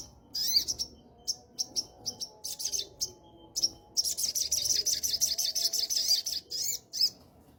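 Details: Sooty-headed bulbul kept in a cage and singing while moulting: scattered sharp chirps build into a long, dense run of fast, scratchy, high twittering notes, then break off into a few separate chirps.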